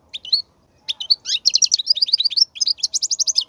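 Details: Song of the European goldfinch for tutoring young goldfinches: a few opening chirps, then a steady, rapid series of bright twittering notes repeated several times a second.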